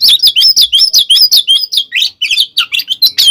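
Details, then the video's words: Fighting song of an Oriental magpie-robin, meant to make rival magpie-robins emotional: rapid, loud, high whistled and slurred notes delivered nearly three per second, with rising and falling sweeps and scratchy chatter, never stopping. "SUARA BURUNG kacer gacor TARUNG KONSLET"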